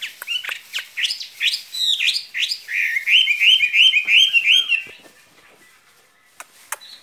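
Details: Skylark kept in a cage giving its spring love song: a run of bright chirps that builds into a fast, steady trilled warble, then falls quiet with a few clicks.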